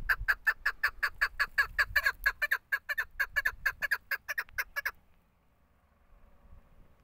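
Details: Female desi chukar partridge, a hunting bird, giving a fast series of about twenty harsh, clucking chuk notes over five seconds. The notes speed up slightly, then stop, leaving faint background hum.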